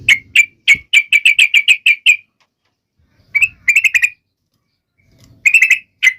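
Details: Energetic trucuk (Yellow-vented Bulbul) singing meant to set off other birds: a fast run of about a dozen clipped, high chirps, then two shorter bursts of quick notes separated by silence.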